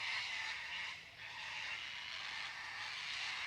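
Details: Broad hissing rush of a passing vehicle that dips briefly and then returns, with no animal call.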